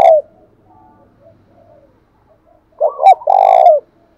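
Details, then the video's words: Spotted dove, thổ pha voice, meant to spur a newly caught bird to coo. The tail of a coo opens the clip, a quiet gap follows, then a loud phrase of two hooked notes and a long, low, vibrating coo. "cu gáy giọng thổ pha/ cu gay kich boi nhanh noi gù"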